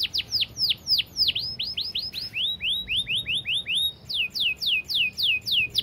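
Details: Canary in long, clear, fast song made of loud sweeping notes, first falling, then rising, then falling again, repeated about three per second in shifting phrases.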